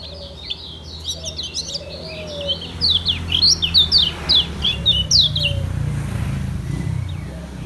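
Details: Lemon-bellied white-eye (kecial kuning) of Lombok in slow ngejos song: dense rapid chattering of high chirps and downward-slurred whistles for about five seconds, then quieter, with a low background hum.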